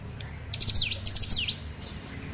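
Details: Young olive-backed sunbird learning to sing: a short quick twitter of high thin notes, some sliding steeply down then up, lasting about a second.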